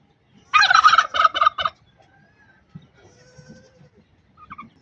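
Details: Aggressive turkey hen among pet birds in Buner, Khyber Pakhtunkhwa: one loud, rapid, rattling gobble of quick stuttering pulses lasting about a second, followed by soft scattered noises and quiet.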